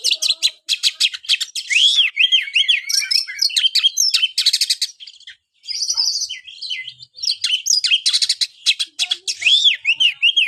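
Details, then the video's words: White-rumped shama in sustained song: long runs of rapid buzzy trills and looping whistled notes, with a short pause midway before resuming. "buat burung Kacer anda yang malas bunyi"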